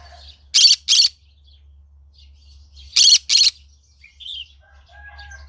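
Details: Green-cheeked conure calling in the morning: two pairs of harsh, buzzy squawks, each pair quickly doubled, about two seconds apart, with a few soft chirps between over a quiet low hum.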